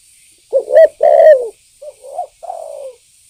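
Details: Spotted dove lure call for provoking birds; a loud accented coo pair followed by softer, lower coos falling away.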